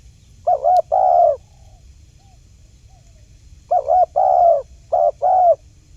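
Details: Wild spotted dove cooing as a trapping lure, one two-note phrase, a gap of silence, then two more paired coos, each a wavering short note and a sustained hoot.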